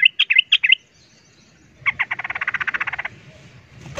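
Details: Agitated yellow-vented bulbuls in a fight: a rapid string of bright, gurgling notes opens, then after a pause a loud, steady machine-gun chatter of about fifteen repeated notes, before a soft rustle closes.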